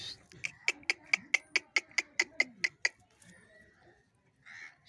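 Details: Angry pet parrot (mithu) calling: a run of about eleven harsh, evenly spaced squawks, roughly four per second, then a pause and softer scratchy notes.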